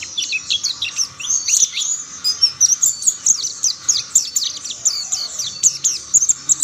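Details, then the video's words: Mountain white-eyes in full song, other birds joining the chorus; very high, thin twittering phrases of fast chirps and downward whistles, continuous and lively, almost no background noise. "Tidak butuh waktu lama pleci Monty lain pasti ikut bunyi"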